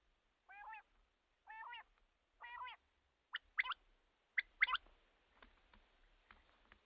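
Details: Common quail sound used to attract quail at night for hunting: three nasal, wavering notes, then short sharp double notes, fading into faint repeated clicks and light hiss.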